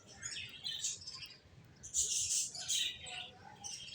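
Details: Several finches twittering in quick high chirps, a louder dense burst of sharp tweets in the middle, softer scattered notes before and after.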